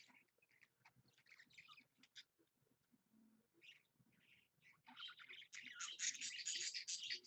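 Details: Parakeet budgie at home on a Monday morning at 7 a.m.: scattered soft chirps and clicks, then a dense, scratchy, continuous warbling burst in the last two seconds.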